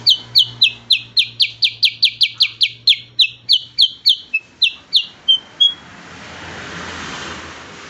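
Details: Cucak kurincang, related to the kutilang bulbul, in 'tembakan' shooting song for training songbirds: a rapid run of sharp high downslurred notes, about three per second, ending in two thin whistles, then only hiss.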